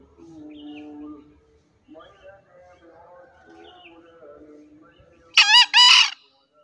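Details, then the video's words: Green junglefowl crowing in the morning: after a stretch of faint, varied calls from other birds, a sudden loud, harsh two-part burst, the second part slightly longer, closes the recording. "SUARA AYAM HUTAN HIJAU GACOR DI PAGI HARI"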